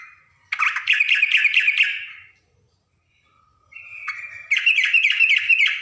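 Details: Wild yellow-vented bulbul, fighting and answering, giving bright, bubbling chattered phrases in two bursts of about two seconds each, separated by a brief pause, with a thin whistled lead-in before the second.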